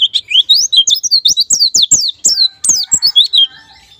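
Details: Rapid white-eye song as a lure for ngalas and nembak singing: steady strings of high whistled slurs, each dropping in pitch, delivered almost continuously before fading out near the end, with clicking knocks.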